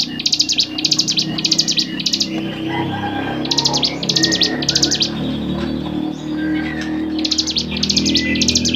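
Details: Training recording of a bar-winged prinia for songbirds, with short groups of very high buzzy trill bursts separated by pauses, over a steady low humming, musical background drone.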